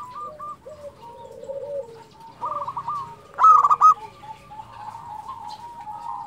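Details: Zebra doves of a local type coo in overlapping, stuttering phrases, building to a sharp, loud rattled burst midway before softer trilled coos continue.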